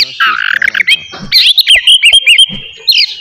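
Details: Oriental magpie-robin song played in the morning to rouse aggression and breeding urge in other birds; harsh rattling notes and a buzzy trill lead into bright whistled slurs and clipped chirps.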